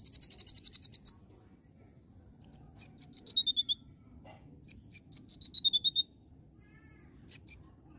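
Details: Gacor nembak singing by an Oriental magpie-robin: an opening rapid buzzy trill, then two runs of short whistled notes falling steadily in pitch, separated by pauses, with a final pair of sharp notes.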